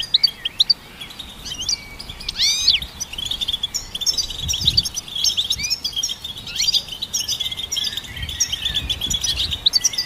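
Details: Singing goldfinch hybrid, its song used to train songbirds. Quick upward and downward sweeping notes mix with twittering chirps and a thin sustained tone, delivered in bursts with short gaps.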